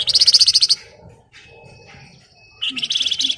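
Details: Flamboyan, the Javan grey-throated white-eye, chattering in the tight ngebren style: a fast run of buzzy high notes, a gap with thin faint whistles, then a second rapid burst.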